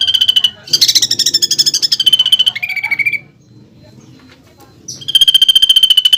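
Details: Greater green leafbird master song with 'pelatuk bawang' filling, sought by contest judges; a dense rattling trill slides into a lower buzz, falls silent for two seconds, then a steady rapid trill resumes.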